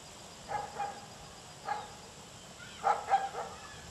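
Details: Limpkin at Villa de Soto, Córdoba, Argentina, in May 2012 gives loud, harsh, bark-like cries in bursts of one to three notes about a second apart, over quiet background hiss.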